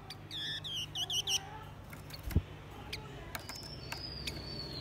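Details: Lure song from a male and female blue-winged minla, used to rouse wild birds: a quick burst of five or six high, harmonic chirps at the start, then sparse clicks and one thin, drawn-out whistle.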